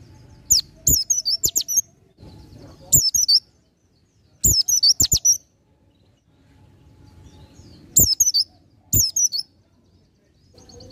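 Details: Oriental white-eye delivering ngalas nembak song for tutoring caged birds: repeated bursts of shrill, high chirps, five or six notes each, spaced a second or more apart over about ten seconds, with quiet gaps.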